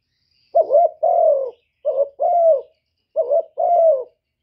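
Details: Lure spotted dove cooing in gáy gù style, three two-part phrases, a brief wavering note followed by a drawn-out mellow coo that sags at the end, clean quiet background.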